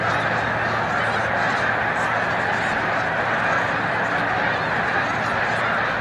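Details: Snow goose migration at Montezuma, New York, 7 March 2022, the flock repeatedly taking to the air; a thick, even babble of barking honks from many birds, no single voice standing apart.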